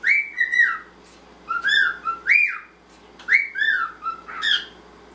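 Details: Male normal grey cockatiel kept as a pet sings to a male pied companion, drawing on many whistles and songs: short whistled notes, some rising, some sliding down, in paired bursts with brief pauses and harsher upper tones.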